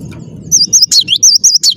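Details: Clear-voiced cinereous tit in full song: a fast run of high, wavy whistled notes with abrupt downward flicks, starting after a moment of low background noise.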